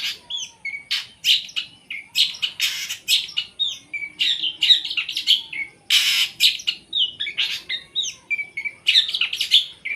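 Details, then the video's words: Captive long-tailed shrike with a rich, varied song: whistled slurs interleaved with harsh scratchy bursts and buzzy notes, continuous throughout. "Kumpulan video cendet gacor full tembakan"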